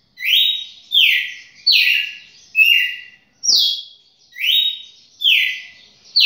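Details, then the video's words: Red-cowled cardinal, a champion songbird, repeating clear descending whistles about every second in a lively, slightly uneven rhythm, with a single soft knock midway and little background noise. "galo-de-campina campeão"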